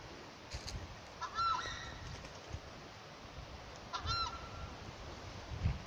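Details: Two separate nasal, trumpeting honks from a Southern screamer, tapacare or chajá, in the Chaco of Santa Cruz, about three seconds apart, each short with a slight upward inflection, against a quiet background with faint low noise.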